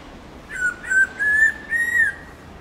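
A black-throated laughingthrush sings a short series of clear, pure whistled notes, each slightly rising.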